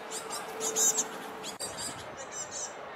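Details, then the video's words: Great tit fledglings near a bridge chasing their parents and begging to be fed: rapid, very high, thin hissing notes in quick bursts, several voices overlapping, with a faint low hum beneath. "Young Great Tits begging"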